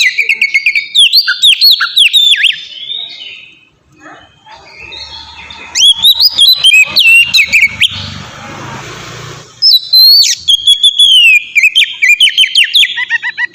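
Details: Ngeplong-style song of an oriental magpie-robin, used as a lure for caged birds: three loud bursts of fast varied whistles and chirps separated by quieter passages, with a brief rushing noise between the second and third.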